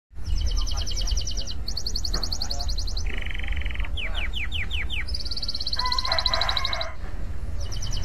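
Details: Canary song played as a lure to set other canaries singing hard; fast, buzzy high trills alternate with a lower rolling tour and a run of descending whistled slides, over a constant low rumble.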